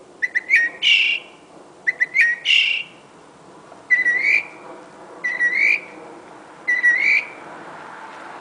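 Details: Northern mockingbird singing late at night, around midnight to 1 AM, in Medford, Massachusetts: short clicks leading into a rising whistled note, then repeated rising slurred whistles at roughly one-and-a-half-second intervals over low traffic-like hum.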